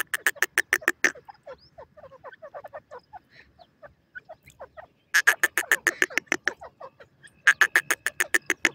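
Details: Woodland partridge giving rapid series of hard, chirping notes, three bursts of about ten notes each, with quieter scattered calls filling the gaps.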